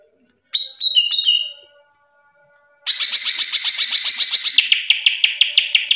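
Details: Short whistled phrase from a caged greater green leafbird, then after a pause a long, harsh buzzy rattle of rapidly repeated notes that ends in evenly spaced sharp chips.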